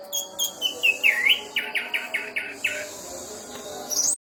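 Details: National champion orange-headed thrush with a mimicked repertoire singing a string of quick downslurred whistles, followed by about six harsh, buzzy repeated notes and a final thin, high rising chirp.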